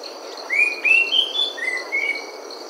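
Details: Orange-headed thrush in Thailand giving clear, slurred whistles in two quick runs of three, the first rising in pitch, over a steady high insect drone.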